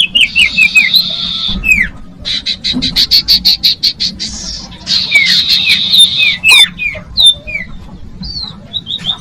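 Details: Common iora singing, a recording meant to attract young birds: a buzzy trill opens, followed by rapid ticking notes, another buzzy trill with dropping whistles, and short slurred whistles near the end.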